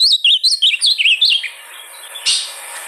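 Ultramarine grosbeak: a quick run of about eight bright, slurred whistles in under a second and a half, rising and falling in pitch, then a faint rustle.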